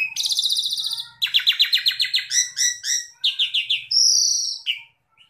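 An Asian pied starling sings a fast, varied run of ringing chattered notes and buzzy trills, ending in a high drawn-out whistle and a short chirp.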